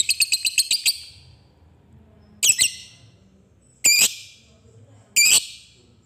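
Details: Lovebird, whose 'ngetik' typing chatter leads into 'ngekek' calling to stimulate other lovebirds: a brief fast series of sharp chirps, then three separate harsh screechy bursts at roughly one-and-a-half-second intervals.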